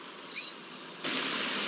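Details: Red-winged blackbird mobbing a young bald eagle, DH2, in Decorah, Iowa, on 20 July 2023. A single loud, thin whistle drops in pitch and fades. Then a broad rushing hiss sets in.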